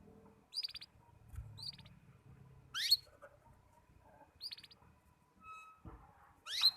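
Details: Young canary learning to sing, its song still disjointed: isolated short rising chirps and buzzy notes separated by pauses of a second or more, with faint low rustling between them.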